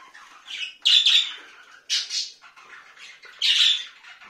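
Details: Parrot giving harsh, grating squawks in short bursts of about a quarter to half a second, three loud ones spaced roughly a second apart with softer chatter between, in a quiet indoor room.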